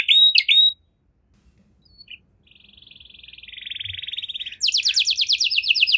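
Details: A canary singing the luxurious 'cengkok mewah' style, played to set other canaries singing. A few sharp whistled notes, a near-silent gap, a soft rising rattling trill, then a loud fast series of sweeping notes.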